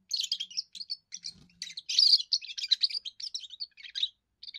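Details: A young European goldfinch sings its first song, meant to warn rivals from its area and attract a mate: dense, bubbling twitters and buzzy trills run almost nonstop, with short breaks, over a quiet background.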